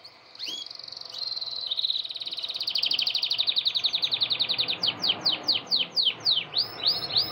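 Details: During breeding season a caged male canary sings hard toward a red female to win her: two opening chips, then a fast, rattling buzzy trill that swells in loudness and breaks into a series of steep descending whistled slurs.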